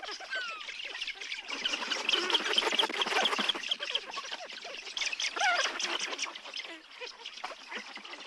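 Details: Breeding colony of Eurasian spoonbills at De Geul on Texel, Netherlands: a dense, overlapping din of harsh, rasping calls and higher squeals, many birds calling at once without a steady rhythm.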